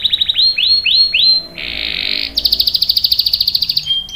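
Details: Singing canary delivering a long 'ngerol' roll meant to lure others into singing and tutor young birds: five sweeping upslurred notes, a smooth buzzy roll, then a rapid sharp trill of about twenty notes.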